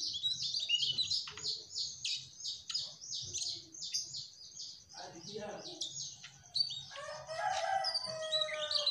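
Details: Mugimaki flycatcher singing in the trotol style, actively and energetically: fast, high, twittering bursts repeated rapidly, becoming a denser, more varied warble late on, with some lower chattering mixed in.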